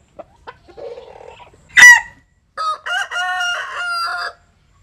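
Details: Japanese and Cuban bantam rooster sunbathing: faint clucks and a sharp loud squawk lead into a clear crow of three or four harmonic syllables, the last drawn out and level, in a quiet setting.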